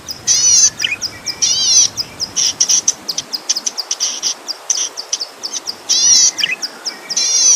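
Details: Cici padi (zitting cisticola) song used as a master recording for training songbirds: high, buzzy bursts with layered harmonics alternate with short sharp ticking notes, repeated irregularly.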